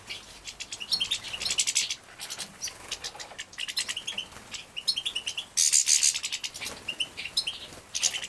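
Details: Captive-bred young European goldfinches being fed, Poland, 2017: rapid high twittering chirps in clusters, rising to a sudden loud shrill burst of begging midway, then quieter chirping.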